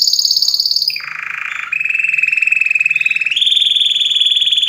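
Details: Canary singing a sequence of rapid trills. A high pulsed tour drops to a lower buzzy roll, then holds a long steady mid-pitched trill before stepping up to a brighter high trill.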